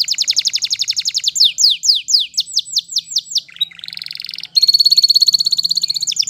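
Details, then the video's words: Wild-setting canary song with a fast, high trill, then a series of looping downward sweeps, a brief buzzy passage and a bright, rapidly pulsed rolling tour to finish. "Canary Singing In The Wild"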